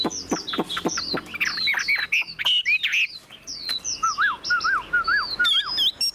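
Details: Caged Chinese hwamei, wild-caught and largely tamed, displaying with fanned tail and spread wings; sharp clicks open into scattered high whistles, then a short series of lower, wavering mellow notes.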